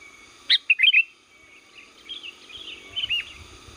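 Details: Lure-call song of a Sooty-headed bulbul from Liwa: a quick cluster of loud sharp chirps and slurred notes at the start, followed by softer warbling phrases that rise again toward the close.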